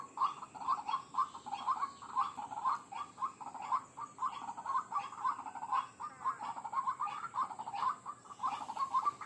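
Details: White-breasted waterhen call played as a bird lure: a dense, rapid run of short, throaty notes, about two per second, almost without pause, over a constant thin hiss.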